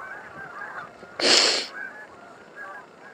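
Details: Honking Canada geese from a flock of thousands on the Salmon River near Truro, March 22; a loud rustling handling noise breaks in briefly mid-way, then the nasal honks carry on.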